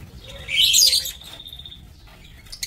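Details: A lovebird in a breeding aviary, 27 March 2024, lets out one loud, rasping high screech. A thin sustained whistle-like tone lingers afterward, with faint chirps at the end.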